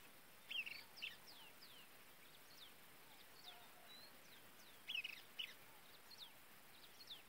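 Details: Pileated finch (galinho-da-serra) feeding its chicks; two quick clusters of short, sharp high chirps, near the start and again about four seconds later, with a few faint scattered chirps over a steady background hiss.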